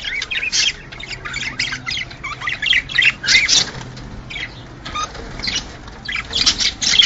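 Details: Male budgerigars warbling to stimulate mating in males and females: rough chattering phrases in short bursts, some harsh and broad, with quieter gaps between them.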